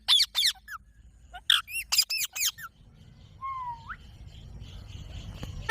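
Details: Parrot giving sharp, descending screechy calls in quick bursts, then a drawn-out whistled note that slides up, over a low rumbling background with faint squeaks.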